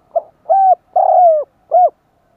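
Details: Calling spotted dove meant to draw in wild doves: a short clipped note, a hollow coo, a long falling coo, and a final short coo in an even, deliberate rhythm. The background is quiet.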